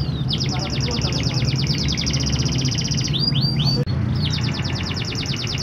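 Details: Canary song played to provoke lazy canaries to sing: a long rapid high trill, a few swooping slurred notes, a brief break, then the fast trill resumes, all over low steady background noise.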